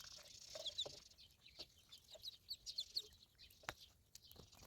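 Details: Ducklings in a village, several high thin peeps in quick irregular bursts, some overlapping, with sharp clicks and rustling around them.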